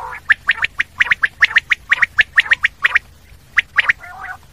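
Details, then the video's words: Common quail giving a rapid run of crisp three-note phrases, sharp and clipped, repeated about once a second with little pause, ending in a softer nasal burr. "Common quail sound// Batair ki awaz"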